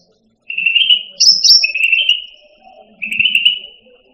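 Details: Cucak rante (striated grassbird) song used as a training recording for caged songbirds: a sustained whistled note, a brief higher sharp phrase, then two more drawn-out whistles, in a quiet background.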